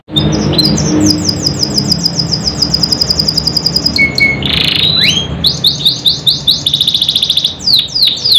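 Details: Canary singing meant to coax silent canaries to sing: rapid rolling trills of sharp rising notes, a brief pure whistle and a harsh buzzy burst midway, then more quick repeated trills, over a low background hum.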